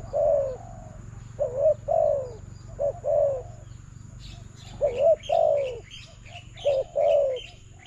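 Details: Spotted dove calling to a decoy in a trapping contest, delivering a series of mellow coos in two-part phrases, short then long and descending; high chirps from small birds join in the background.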